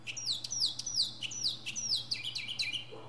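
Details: Northern mockingbird singing from the top of a pine tree: a rapid series of bright, downslurred whistled phrases, each repeated several times before switching, ending in lower chattering notes; a steady low hum underneath.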